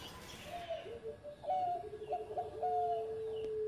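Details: Zebra dove, a former competition champion, singing in the engkel style: one soft cooing phrase of short notes ending in a long held coo, over steady background hiss, with a lower held tone running alongside.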